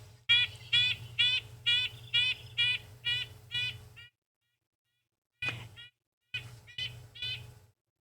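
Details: Red-breasted Nuthatch near its nest gives nasal, tinny 'yank' notes about twice a second, much like a truck's reversing beeper, over a faint low hum.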